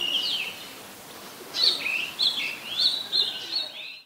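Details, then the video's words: Oriental magpie-robin singing in Ubon Ratchathani, Thailand, 17 July 2021: after a quiet start, a sequence of clear, varied whistles and short warbled notes, each phrase punctuated by brief gaps, ending abruptly. "นกกางเขนบ้าน Oriental Magpie Robin (singing)"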